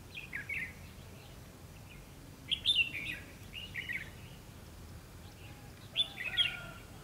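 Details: Fighting song of a Red-whiskered bulbul near a decoy trap, 2 February 2016. Short chirpy, slurred phrases are repeated in three clusters, with the loudest near the middle, and faint lower whistles follow the last burst.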